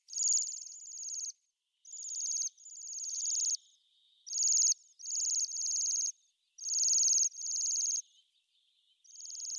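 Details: Bohemian waxwings giving high, sibilant trilled calls, often in close pairs, repeated through the recording with brief silences, several birds overlapping at times.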